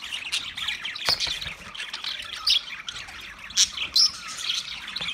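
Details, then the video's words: Budgies calling in a steady scratchy warble, with sharp loud squawks at intervals and sudden clicks breaking through. "Wildlife Budgies Birds Nature Sounds"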